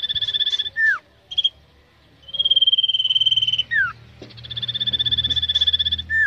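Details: Caged common iora being trained for song competition, singing long trilled whistles held at one pitch, broken by quick downward-slurred notes and short pauses, several phrases in a row.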